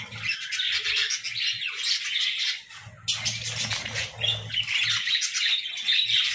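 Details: Pet budgerigars chattering at morning time, bursts of squawky, buzzy warbling and twittering, a brief dip near three seconds, then thin whistled notes, over low knocking and rustling sounds.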